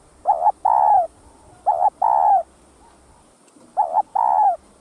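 A spotted dove coos three times, each phrase a short soft note and then a longer, drawn-out mellow coo, about every one and a half seconds, against a quiet background.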